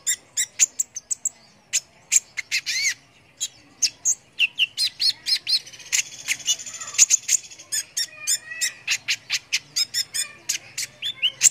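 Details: Sunbird (konin) recorded as a training tutor for competition songbirds: a rapid run of sharp, high chips and short whistled notes, some rising, packed densely with brief gaps and a short buzzy trill near the middle.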